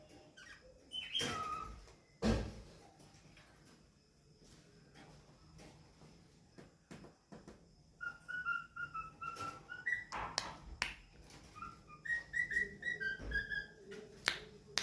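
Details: Cockatiel (Nymphicus hollandicus), song.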